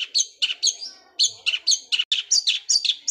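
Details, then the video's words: Sparrow-voiced Long-tailed shrike giving a fast rolling song likened to a sewing machine: a quick series of sharp, high chirps, some rising, some dropping, tumbling together at a hurried pace. "Cendet suara gereja Kunti tembakannya seperti suara mesin jahit roll speed fighter"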